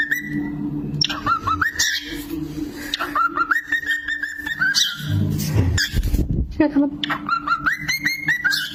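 Cockatiels whistle short phrases of rising and falling notes, repeated in bursts, over a steady low hum and what sounds like people talking.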